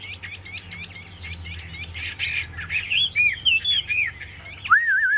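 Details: Caged Chinese hwamei: rapid repeated high chips give way to looping whistled phrases, ending in an upward sweep into a wavering, trilling whistle.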